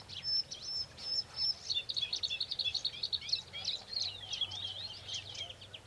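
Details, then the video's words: Bluethroat angered by a played recording of another bird's song, defending territory: a few high pure whistles, then a fast, dense run of chattering, mimetic-sounding twitters and trills for several seconds. "Варакушка поет, Luscinia Svecica sings."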